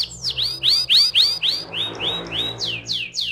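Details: Canary song in the 'ngeroll' rolling style, used as a lure to make canaries sing: loud, clear notes that slur downward, repeated about four per second with a short pause midway.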